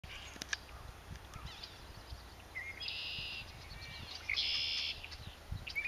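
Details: A Baltimore oriole near a nest under construction in Adamant, Vermont, on May 15, 2009, gives a few short whistled notes broken by two harsh, buzzy bursts, against steady outdoor background noise.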